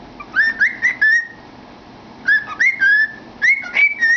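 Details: Pet cockatiel singing into a cardboard tube, giving clear whistled phrases of rising and sliding notes, three phrases about a second apart with short pauses between.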